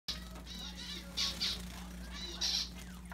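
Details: Young bird screaming and begging its parents for food: harsh, high rasping cries in short bursts, three louder peaks and softer calls between, over a steady low hum.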